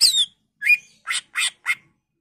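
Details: Greater green leafbird lure song aimed at stimulating other leafbirds: one slurred descending whistle followed by a short whistle and three harsh, broadband squawky notes in quick succession.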